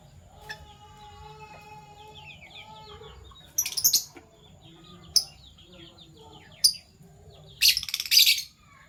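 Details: PB Violet and Euwing Gold Opaline Fischer's lovebirds in the morning: a few sharp chirps and a harsh, noisy burst near the end, with soft background twittering and a faint whistled note early on.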